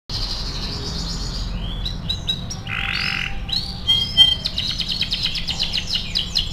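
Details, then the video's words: A canary sings a fast, continuous run of high buzzy trills and rolling chirps, broken by a few clear whistled notes, over a low steady hum. "MASTERAN KENARI AF GACOR"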